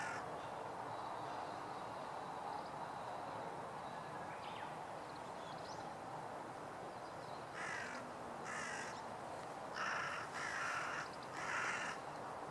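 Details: Crows in a running conflict with a Northern Goshawk, recorded 2016-04-04: faint background at first, then five loud, coarse caws in quick succession near the end.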